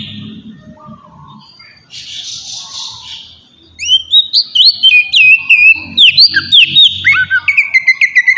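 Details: Oriental magpie-robin lure song for provoking a reply from other birds. Low murmur and a brief hiss come first. Then a fast string of loud whistled notes, swooping and rising, repeats almost twice a second.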